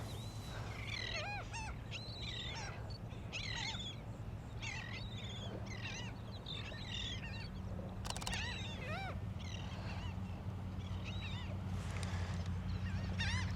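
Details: Laughing Gulls on the beach at Jones Park, Gulfport, Mississippi, on a morning at low tide, give overlapping nasal, yelping, laugh-like calls in quick, ragged series, rising then falling, over steady low wind and surf rumble.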